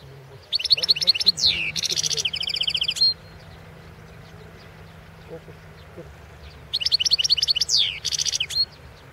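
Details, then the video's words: A Balkan goldfinch (Carduelis carduelis balcanica), recorded as a 2016 world championship song entry. Two long high phrases, each made of bouncy twittered notes, a descending slur, a rapid buzzy trill and a sharp thin whistle at the end, about six seconds apart. "World championship in Goldfinch Song 2016"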